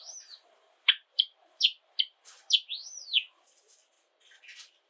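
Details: Caged Java sparrow from an indoor flock of seven singing a slower phrase: spaced sharp chips followed by two drawn-out arching whistles, with soft bell-like notes and faint chatter from other birds in the background.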